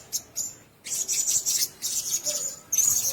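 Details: Blue-crowned hanging parrots in a shared cage: short high chirps, then a run of loud, hissy, high-pitched squeals, finishing with a thin rising whistle.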